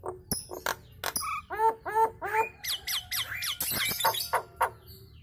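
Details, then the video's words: Nias hill myna chattering and prompting other birds to sing along: a sequence of nasal, harmonic squawks, some rising then falling, repeated about three times a second, with clicks and a brief whistle near the end. "BURUNG JALAK NIAS KEMREWEK BIKIN BURUNG LAIN IKUT BUNYI"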